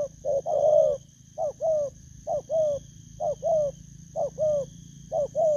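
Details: Wild-caught spotted dove cooing: paired soft hoots, a short rising note then a longer falling one, repeated about once a second against a constant faint hum.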